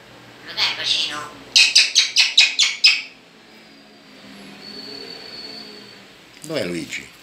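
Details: Talking blackbirds kept as pets, trading odd exchanges: a short rasping burst, then six quick, emphatic chattering notes in a row, and a final sharply falling, harmonic squawk near the end.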